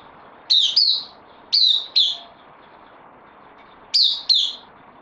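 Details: Caged bulbul, newly arrived on loan, gives paired bright notes that dip in pitch, spaced by pauses of over a second, against low hiss.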